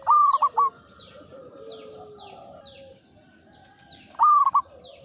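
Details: Local zebra dove, an old and steady singer, delivers two brief rolling coo phrases about four seconds apart. Quieter cooing and high twittering calls from other birds fill the gap.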